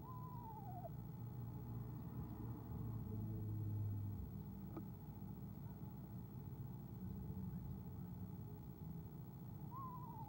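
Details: Two soft, vibrato trills from an Eastern screech owl greeting its arriving mate, owl camera, 17 February 2015: one descending at the start, another rising at the end, with quiet low rumbling between.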